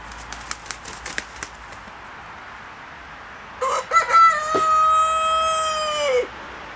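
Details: Buff black Columbian rooster: a few sharp clicks and clucks, a pause, then one long crow that opens with stuttered notes and settles into a sustained, level, harmonic-rich tone, ending in a brief downward slur.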